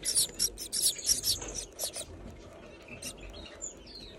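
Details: A breeding Gouldian finch gives a run of very high, scratchy, hissing bursts for two seconds, then a few thin, squeaky whistles over a faint background hum.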